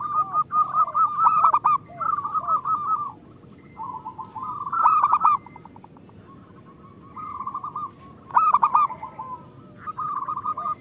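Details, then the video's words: Zebra doves of local stock singing as a lure and moulting therapy for other doves: repeated rolling, bubbling coo phrases every few seconds, with softer curved coos beneath and occasional sharp clicks. "Perkutut lokal gacor Pancingan Jitu"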